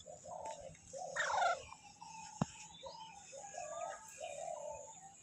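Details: Baby Alexandrine parakeet calling in short, rasping, nasal notes repeated in uneven bursts, with one louder, rising squawk near the middle and a sharp click.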